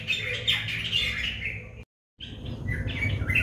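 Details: White-bellied drongo in Sri Lanka, filmed with a Nikon COOLPIX P1000: bright chirping and whistled notes run densely for almost two seconds, then break off briefly before a second burst of sharper, rising chirps. A steady low rumble sits underneath.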